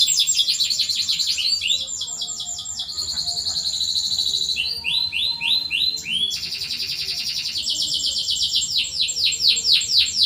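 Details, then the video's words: Canary lure song for silent birds: a continuous sequence of trilled tours, each a rapid run of repeated notes at a fresh pitch, some slower and swooping, changing every one to two seconds. "PANCINGAN BURUNG KENARI SUARA CUIT CUIT COCOK UNTUK MASTERAN BUAT YANG SUSAH BUNYI"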